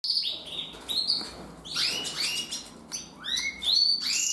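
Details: Canary of the red agate mosaic colour variety singing a lively song of rapid high chirps and sweeping slurred notes, repeated in quick bursts with short gaps, over a low background hum.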